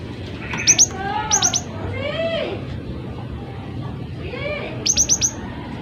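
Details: Gelatik batu (cinereous tit) singing actively, a tutor recording for other birds: bursts of three or four sharp high whistled notes, plus slurred lower buzzy phrases between them, over steady background hiss.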